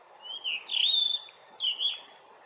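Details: Morning song of a blue rock thrush in sunlight: flowing whistled notes, a high descending slur overhead, then two quick paired whistles at the close.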